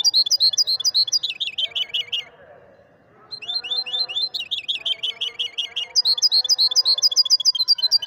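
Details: Moroccan maestro European goldfinch in full song: bright, rapid twittering phrases of rising and falling chirps, broken by a brief pause around the middle before another lively burst of repeated notes.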